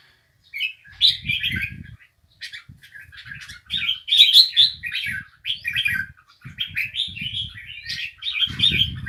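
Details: Lively, almost nonstop warbling and chirping from a bulbul, phrases tumbling into each other, over repeated low thumping and rustling noises.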